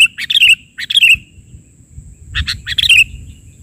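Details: Sooty-headed bulbul singing persistently in the 'bahari' version of a filler song: two bursts of short chirps, each ending in a bright down-slurred whistled note, with a steady faint high whine in the background.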